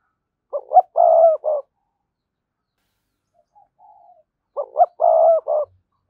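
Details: Spotted dove coo used as a decoy for wild doves: two matching phrases about four seconds apart, each with short lead-in notes, a long steady coo and a short ending, plus a faint soft note between them.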